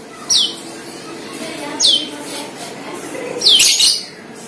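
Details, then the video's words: Lure recording of cucak keling: three quick falling whistled notes roughly every one and a half seconds, the last one harsher and noisier, over a faint constant hum. "PANCINGAN CUCAK KELING"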